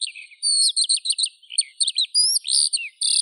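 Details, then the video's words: Brief burst of skylark song: shrill twittering notes, a rising whistled slur and buzzy sustained phrases, sung continuously. "Skylark Birdsong"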